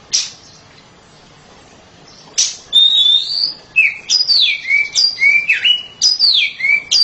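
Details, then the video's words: Oriental magpie-robin, kept at home, in loud song: a few sharp notes, then a rising whistle and a rich flowing series of sliding, downslurred and looping whistled notes. "KACER RUMAHAN KICAUNYA NYARING"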